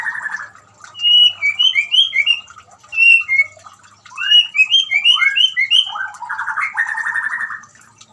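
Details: White-rumped shama in song, intended as therapy for a shama that has stopped singing: a buzzy trill opens into loud, clear whistles in quick descending pairs, then closes with a long grating rattle.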